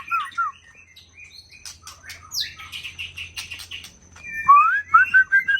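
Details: Young forest-bred white-rumped shama from Aceh: scattered chirps and scratchy notes, then clear rising whistles and a quick series of bright slurred notes, with a low hum and a faint steady high tone underneath.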